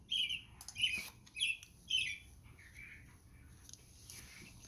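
European Starling giving four harsh, scratchy high calls about once every half second, followed by softer squeaky chatter.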